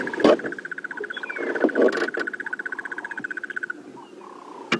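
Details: A crested barbet on a 16 September morning safari drive in the Sabi Sands, South Africa, gives its trill, which it makes with a split larynx: a long, even, rapid trill on one pitch for about three seconds, with a few thumps and knocks.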